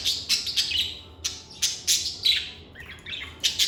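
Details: Lovebirds chirping in a calm, stress-free setting: crisp, loud, high chirps in short clusters roughly every half second, with a few softer warbled notes between.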